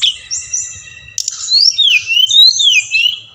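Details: Bali brown-chested jungle flycatcher, in audio played to encourage captive birds to sing. A held whistle is followed by a bright, tumbling series of swooping and warbling high notes that grows louder toward the end.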